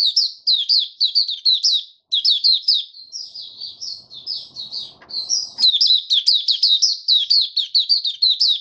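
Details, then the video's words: White-eye (mata puteh) settling its form in an opening song: long, fast streams of high, bright twitters and chirps, briefly broken, then resumed with even more vigor. "Mata Puteh Raja Stablizing his form buka sing"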